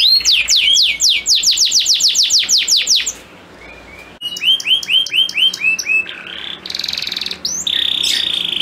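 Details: Male canary song said to make females receptive to mating: a rapid run of about a dozen high, downslurred whistles, then a brief pause and varied rolling trills and buzzy notes, all bright and high-pitched.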